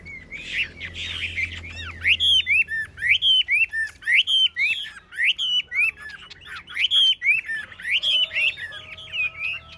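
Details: A tame caged Chinese Hwamei, one of three in a singing contest, pours out loud, rich, fast song, with varied whistled and slurred notes about four a second and no pauses. A low hum sounds briefly at the start.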